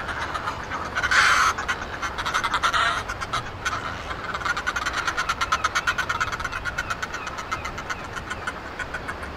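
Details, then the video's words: Northern fulmars at a small cliff nesting colony at Foreness, Southeast England, calling during noisy courtship on a sunny early-summer morning: a raucous, squawking cackle of rapid guttural pulses in a steady chattering rhythm, with louder bursts near the start. "Northern Fulmar Noisy Courtship"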